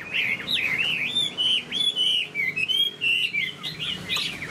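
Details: Cage-kept Chinese hwamei displaying with fanned tail and moving wings, singing a lively sequence of clear whistled notes, some repeated in quick series, with bouncing, rising and falling phrases.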